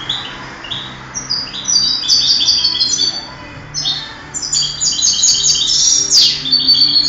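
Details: European goldfinch trained for singing contests, recorded in 2008: a rapid, continuous high-pitched twitter of tinkling and buzzy notes, rising into denser, brighter jingling phrases toward the end, over a faint low hum.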